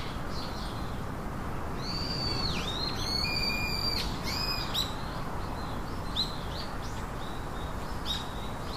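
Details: Chicks in a nest, three of them, produce sliding high peeps and a held thin whistle, then a scatter of short chirps, against soft background noise.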